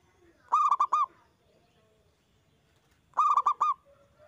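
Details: Zebra dove recording used to provoke other doves into singing. Two short phrases of four to five rapid, rounded cooing notes, roughly two and a half seconds apart, against a quiet background.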